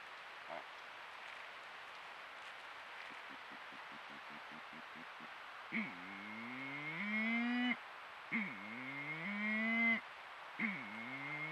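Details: Female Malleefowl at Patchewollock Conservation Reserve giving deep, moaning harmonic calls that dip then rise, three or four in a few seconds, after a short run of low clucks; steady background hiss.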